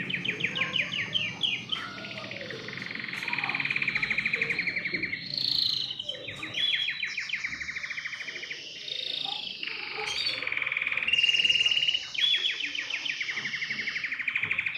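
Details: Canary delivering a varied song of rattling trills, buzzy rolls and sharp high notes in quick sections, with a soft low background hum.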